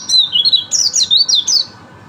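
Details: White-eye song: a rapid run of high, sweet whistled notes that slide up and down, with several bright rising and falling phrases packed into about one and a half seconds, then quiet.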